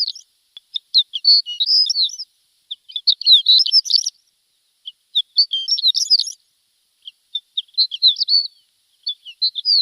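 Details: Javan bush lark training song for untrained birds: rapid scratchy high twittering in bursts of one to two seconds, separated by short silences.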